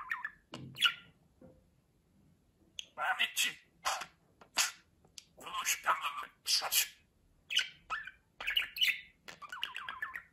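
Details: Talking pet budgerigar: a run of harsh, speech-like syllables separated by short silences, ending in a wavering warble, with one low soft knock early on.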